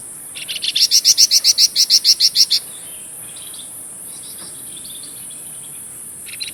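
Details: A flamboyan bird in full song, used as tutor material for murai batu and kacer, delivers one fast run of about fourteen loud, clipped, ringing notes, then falls quiet, leaving a constant shrill background hiss and a faint final note.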